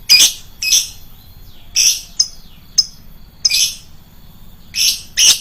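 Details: Lovebird giving loud, shrill, piercing chirps used as a lure call, bursts of harsh high notes repeated irregularly about every second, some short sharp ticks between them, over a low background rumble.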